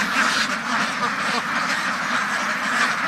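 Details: Massed quacking of farm ducks forms a steady, crowded din of overlapping nasal calls.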